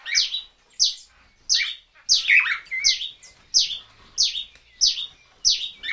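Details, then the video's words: Swallow-tailed manakin calls, including display calls: sharp, high, downward-sweeping notes about every 0.7 seconds, with a brief buzzy jumble near the middle. "Swallow-Tailed Manakin. MCU Display & Other Calls From Manakins"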